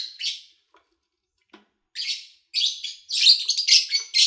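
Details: Lovebirds captured in August 2019 in a quiet home setting with little engine noise or human activity; a few scattered chirps, then dense rasping chatter building into a near-continuous run of harsh high notes.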